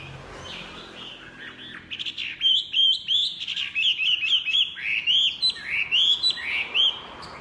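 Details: Chinese hwamei delivering loud, energetic song: a quick series of bright slurred whistles, each note rising then dropping, repeated in rapid succession for several seconds.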